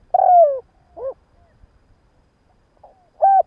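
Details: Spotted dove kept as a decoy calls at morning to attract wild birds: a long coo gliding down in pitch, a brief arched note, a pause, then one more steady mellow coo.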